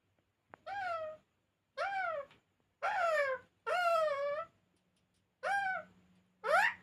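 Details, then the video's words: Talking pet parrot indoors giving six drawn-out, harmonic, wavering utterances, each under a second long and separated by short pauses, in a quiet small room. "Talking parrot"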